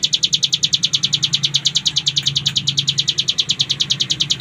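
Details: A 3.5-month-old Bar-winged Prinia sings a long-duration, fast, high continuous trill of sharp repeated notes, about eight per second, at an even pace over a low hum.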